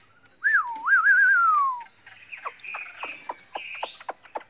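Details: Chinese hwamei song in many voices, used to train other birds; loud rich whistled phrase rising and falling with a wavering trill, then softer high notes mixed with sharp clicks.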